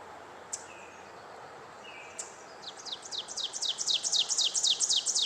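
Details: An Ovenbird in Eastern forest sings a rapid series of high, sharp two-note phrases, about four per second, starting low and building steadily louder to the end. A couple of faint clicks come before it.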